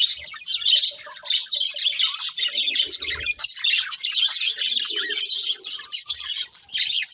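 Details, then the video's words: Pet budgerigars singing while eating: a continuous, dense, high-pitched chattering warble of rapid chirps and twitters, with a few soft, low scraping sounds in the background. "Beautiful Budgies Singing and Eating | Love Birds Chirping Sounds"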